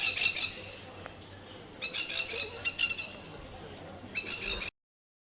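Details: Plovers in a garden give harsh, rasping alarm calls in four short bursts of a few rapid notes each over about five seconds, defending their eggs across the water, with faint voices in the background.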